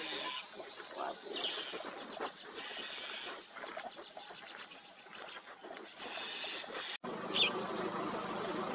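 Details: A flock of white-cheeked starlings, a noisy group-living species, chatters in dense, overlapping squeaky and rasping notes, mostly high-pitched, with a sharp break near the end.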